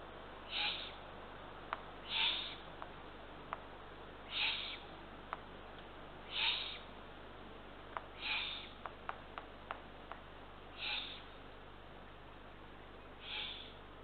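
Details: Eurasian eagle-owl at a nest in Northern Estonia around 00:31–00:52 on 23 June 2023, as a parent brings two small rodents for the third chick: harsh hissing rasps about every two seconds, each roughly half a second long, with scattered sharp clicks.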